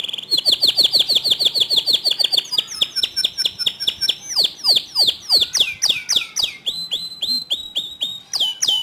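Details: Canary song meant to stir other canaries into singing; rapid rolling trills of high notes shift into varied sweeping phrases and sharp chips, changing tour every second or two, with a continuous lively delivery throughout.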